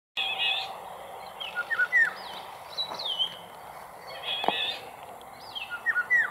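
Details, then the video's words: Eurasian golden oriole, male and female, an exhausted bird that took refuge on a sailboat heading to the Île d'Yeu; clear fluty whistled slurs, rising and falling, in short phrases with quiet gaps and faint background noise. "LORIOT D'EUROPE, cri et chant, mâle et femelle"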